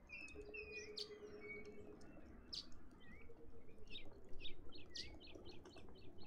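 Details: Cape robin-chat recorded on 11 November 2021: soft, varied whistled phrases with sharp, high clicking notes scattered throughout. The calls are fairly faint, with a low steady hum in the first seconds.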